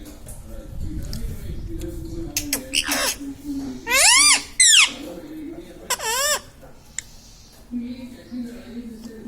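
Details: Pet Indian ringneck parakeet indoors, a talking bird said to say words like mummy, papa and radhe radhe; a few loud, high, strongly harmonic rising-and-falling utterances after two seconds of low background rumble, with a faint low hum throughout.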